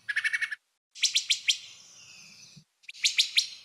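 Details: Wood thrush during fall migration in Kentucky woods, giving three quick bursts of sharp, snappy high notes, about four to six per burst, with a thin buzzy trail after the second; such snappy series are typical very early morning or late.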